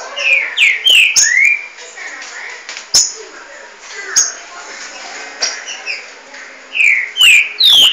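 Green-winged Saltators sing loud, clear whistled phrases, some sweeping up or down, with two birds answering each other over a steady background hiss.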